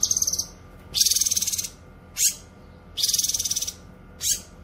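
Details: Cucak kinoy song used for tutoring cage birds and luring wild ones: long high buzzy pulsed rattles alternate with short sharp rising notes, repeated about every second, over a low hum.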